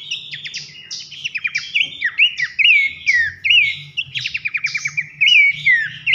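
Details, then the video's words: Loud whistled song of the pelanduk semak babbler, recorded as masteran to train songbirds for contests: fast sequence of descending slurs and upward-flicked notes, short rattles between phrases, faint low hum in the background. "masteran nembak nyiul keras khas pelanduk semak"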